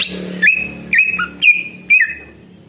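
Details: Greater green leafbird (Chloropsis sonnerati) song used as a lure to warm up other leafbirds and get them answering: four bright, sweeping whistles about half a second apart, each sliding down then holding a clear tone, over a faint low hum.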